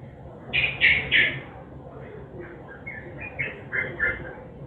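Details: Sooty-headed bulbul in nguklik song, meant as a lure for silent birds: three loud burry notes, then a softer run of quick warbled phrases over a steady low background hiss.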